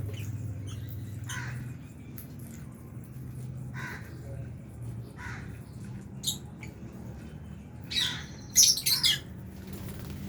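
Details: Lovebirds of albino and Fisher's types eating in an aviary with budgies; scattered short harsh chirps, then a quick cluster of loud, sharp shrieks toward the end, over faint low rumble.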